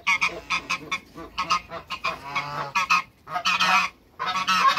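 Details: Two male and one female African geese in a backyard honk in quick, uneven bursts, harsh nasal calls tumbling over each other, with a louder cluster near the end.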